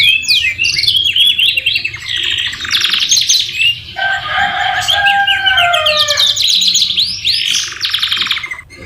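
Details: Canary song used for tutoring, full of white-rumped shama (murai batu) phrases: quick rising notes, a long high buzzy trill, then lower warbling tones dropping in pitch before bright rapid chirps resume.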